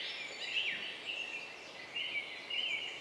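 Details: Song thrush parents feeding their four young about 10 m up: thin, high-pitched calls in short bursts every half second or so, over a steady background hiss.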